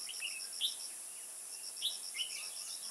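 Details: Decoy red-whiskered bulbul at a bird trap in Kim Bôi, Hòa Bình, 21 May 2018, giving short sharp whistled notes and a quick warbled phrase amid a fast, even insect chirping.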